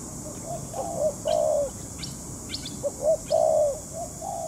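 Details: Spotted dove calling in a trapping session with a decoy bird. Two long mellow croons, each preceded by soft short coos, are mixed with brief high chirps from small birds nearby.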